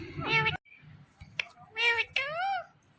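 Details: Indian ringneck parakeet talking and calling out the word Mithu. Short, harmonic, voice-like phrases: one at the start, then two more near the end, the last sweeping up and down, with a sharp click in between.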